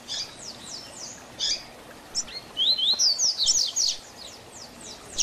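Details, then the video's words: Double-collared seedeater singing the 'Tui Tui Zel Zel Diferenciado' teaching song: scattered high slurred chirps build into a fast, loud sequence of piercing whistles, then taper to lighter notes. "Tui Tui Zel Zel Diferenciado Encarte seu Coleiro ou Papa capim"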